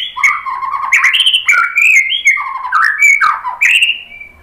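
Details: White-rumped shama singing to goad other birds into song: a continuous flowing warble of slurred whistles, jumping between low and high notes in quick succession, ending on a drawn-out whistle.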